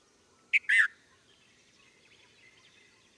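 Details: Red-vented bulbul uttering a quick two-note call, a sharp short chirp then a fuller burry note, followed by quiet with faint distant twittering.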